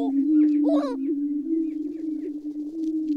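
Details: Great steppe grouse: an unbroken low humming tone with one brief rough, rising call near the start and faint high twitters.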